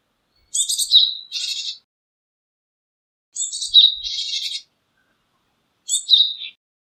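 Japanese tit giving three high calls, each a thin sharp note sliding down into a harsh buzzy chatter, spaced a few seconds apart against quiet surroundings.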